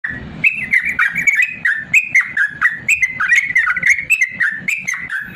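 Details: Yellow-vented bulbul singing a long, rapid 'ropel panjang' song, used as a master recording to train lazy birds to sing: a fast, continuous chatter of short bubbling notes that dip and rise, about three or four per second, with no pauses.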